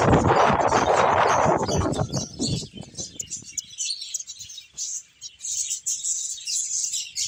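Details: Several finches playing and chirping: after a loud rumbling, rustling first half, a steady stream of thin, high, quick chirps and twitters carries on by itself to the end.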